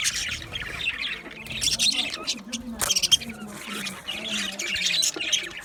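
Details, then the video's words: Budgerigars in an aviary, a dense chatter of many birds with rapid high chirps and warbles, and some low droning underneath throughout. "Budgie chirping sound | Budgie parakeet singing | Budgie aviary sound"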